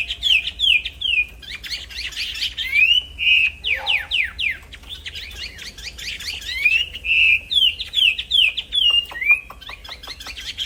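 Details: Nonstop song of a black-throated laughingthrush from an aviary, used as a model for training songbirds: quick slurred whistles and rising, swooping notes in lively bursts, with a brief lower note near the middle.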